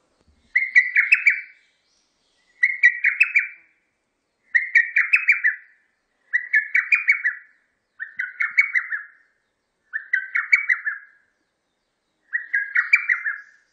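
A lesser cuckoo repeats a loud, rapid phrase of five or six shrill, tumbling notes about every two seconds.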